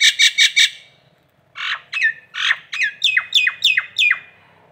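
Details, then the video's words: Nias hill myna, local bird from Indonesia, recorded for masteran tutoring: four rapid buzzy rasps, a short gap, then a series of loud harsh notes, each dropping sharply in pitch and repeated about every third of a second. "masteran jalak Nias lokalan aja"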